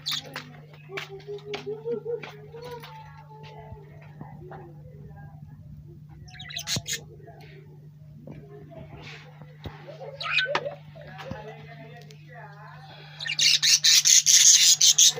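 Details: Lovebird chirping indoors: scattered thin squeaky chirps and short warbled notes, ending in a burst of rapid, harsh, buzzy chirps, over a steady low electrical hum.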